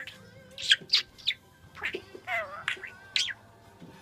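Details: A budgerigar chatters to two cockatiels in quick, scratchy bursts mixed with high chirps and warbled notes, seemingly imitating speech.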